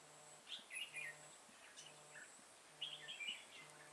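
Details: Decoy Red-whiskered bulbul used to lure wild bulbuls into a trap, recorded 28 September 2017 in Vietnam: short bright warbled phrases in two bursts, with a steady low humming pulse repeating underneath.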